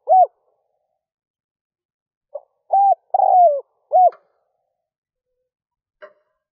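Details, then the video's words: Spotted dove decoy calling to lure wild doves at dawn; a lone short coo, a silent gap, then a full phrase of soft intro note, level coo, long descending coo and clipped final coo. "Tiếng chim cu gáy rút bổi nhanh về - kích bổi nhanh nổi"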